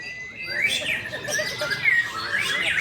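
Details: Competing white-rumped shama from songbird-hobby circles delivering a long clear whistled phrase that holds steady, then climbs in bright sweeping notes, with chattery twitters between; a man murmurs in Indonesian nearby.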